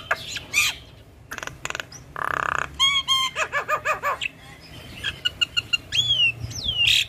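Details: Caged female Javan myna singing energetically: harsh bursts, clicking rattles, rows of quick arched whistles, then a run of sharp pips and two long swooping whistles, over a faint hum.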